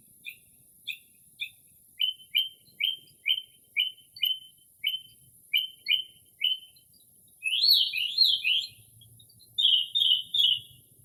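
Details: Northern mockingbird mimicking other birds late at night in early spring, recorded in quiet without city noise: a few light notes, then a rapid series of short down-slurred chirps, then scratchy rising-falling bursts and a triple buzzy phrase.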